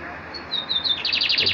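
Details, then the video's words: Captive Lined Seedeater singing at its own reflection in a mirror while perched in a hand: a few thin, high whistled notes, then a fast run of bright, rapidly repeated chirps. "Bigodeiro cantando se vendo pelo espelho cantando na minha mão"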